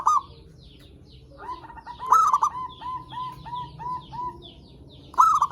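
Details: Zebra dove singing, recorded as a lure to make other zebra doves call: a loud rolling coo opens the clip, followed by a run of short, evenly spaced cooing notes, then another loud burst at the end.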